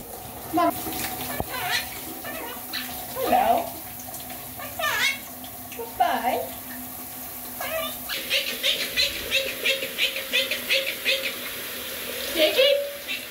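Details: Pet Quaker parrot (monk parakeet) talking and singing while having a shower: chatters in a speech-like voice with bursts of rapid chirps over steadily running water.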